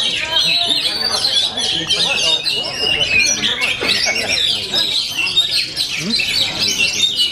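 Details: Full-power song of an Oriental magpie-robin, known as kacer: unbroken, dense high twittering and shrill whistled notes, sharp sweeps and quick trills, very busy and loud, with faint talking in the background.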